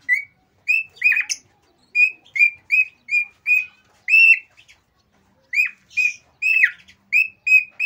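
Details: Excited male cockatiel singing to stimulate pairs to mate: clear whistled notes at a steady pitch, repeated in quick runs of three to four, with short pauses and one brief buzzy rasp.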